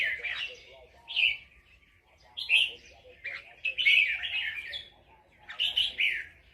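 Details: Red-whiskered bulbul from Loei province, Thailand, sings nap dok style. Loud, varied phrases of bright whistled and chattering notes come about once a second, some rolling together into a longer warble.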